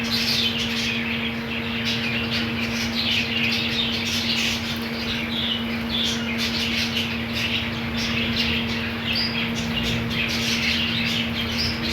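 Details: Crowded budgerigar colony with green food: an unbroken wash of chirps, squawks and warbling chatter from many birds, slightly louder in bursts, over persistent electrical hum.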